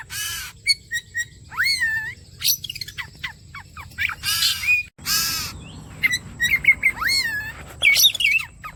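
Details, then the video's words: Oriental magpie-robin song, used as bait to make kept birds sing: loud harsh rasping bursts alternating with fluid whistles that swoop and loop, with rapid repeated chips near the end. "The bait for the kacer bird turns directly to the gacor"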